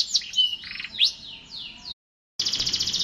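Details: Canary song with varied whistled slurs and twittering, a sudden silent break, then a buzzy high rapid trill.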